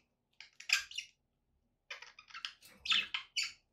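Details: Pet budgerigars give two quick bursts of scratchy, warbling chirps, the second burst longer and louder.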